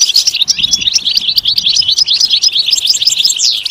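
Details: Short burst of European goldfinch song used to stimulate singing: quick, sparkling high chirps and twittered trills in an unbroken run, ending on a sweeping downward note.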